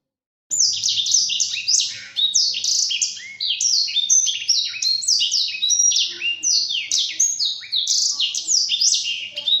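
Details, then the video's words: Black-throated canary training song for caged birds, starting after half a second of silence, then a dense, nonstop cascade of bright downslurred whistles and twittering trills. "Masteran Burung Blacktroat"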